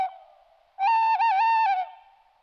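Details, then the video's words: Tawny owl heard at night near homes: a faint fading tone, then a loud, pure, held hoot with a quavering, tremulous middle section lasting about a second before it dies away. The recording is quiet apart from the owl. "Il verso dell'allocco. Tawny owl"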